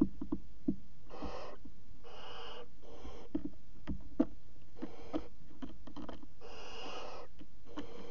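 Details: Barn owl chicks in their nest box on the night of 5 August 2017 at 22:00, flapping their wings: six breathy, rasping hisses of up to half a second, mixed with clicks and thuds from movement.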